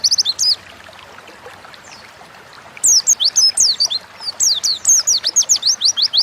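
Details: Caged Oriental white-eye (pleci) in 'gacor ngalas' lure song for training other songbirds: short opening burst, a silent stretch, then a fast string of high piercing slurred whistles repeated several times a second.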